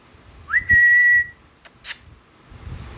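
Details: Pet grey parrot at home giving a single clear whistle that rises quickly, then holds a steady pitch for about half a second, followed by a couple of soft clicks and quiet room noise.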